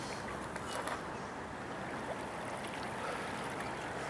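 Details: Continuous broadband hiss of water and a moving boat, with no distinct animal call.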